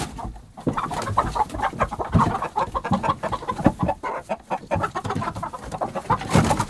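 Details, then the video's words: Flustered hens in a henhouse reacting to a disturbance: a dense, busy chorus of overlapping clucks and short squawks that continues without pause, over scratching and rustling noise. "Flustered Hens"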